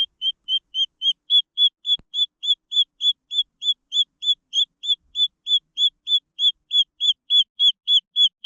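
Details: Green junglefowl chicks: a steady run of high, short peeping notes, each slightly arched, about three and a half per second with no pause, over an otherwise quiet background.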